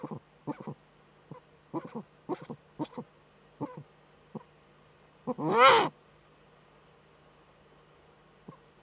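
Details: Eurasian eagle-owl female in the nest niche, webcam in northern Rhineland-Palatinate, Germany, 5 May 2013; a scatter of soft, short throaty clicks, then one loud, broad hissing rasp, followed by quiet.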